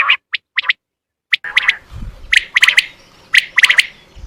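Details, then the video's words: Common quail calls played to lure quail for hunting: sharp, clipped triple notes in quick bursts, repeated about once a second over a rough, noisy background with a low rumble. "زیادہ سے زیادہ بٹر پکڑنے کے لیے اس اواز کو استعمال کریں"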